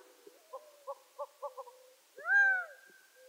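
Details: Gambel's quail, a desert ground bird of the American Southwest, giving a run of five or six short, evenly spaced clucking notes, then a loud, drawn-out, slightly arched crowing call with a bright ringing tone.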